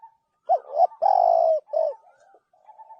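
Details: Spotted dove giving a phrase of mellow coos: a short note, a pair of notes, one long steady coo, then softer trailing notes fading away. Quiet background.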